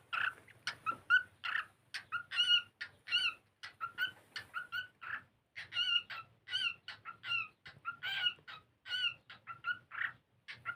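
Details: Indoor cockatiel singing while playing: rapid sequences of short, bright chirps and whistles, closely spaced and varied in pitch, continuing throughout.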